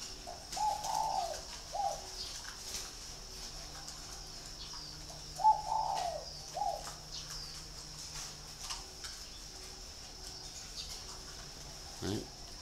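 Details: Spotted dove at a breeding garden near Ba Vì, Hanoi, Vietnam, noted for a ringing voice; two fairly quiet coo phrases of short and longer hollow notes open the recording, followed by hiss and faint knocks.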